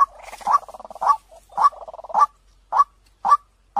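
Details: White-breasted waterhen lure call, clear-voiced and said to draw birds in very fast: a low purring trill of rapid pulses, then loud croaking notes repeated about twice per second with short pauses between them.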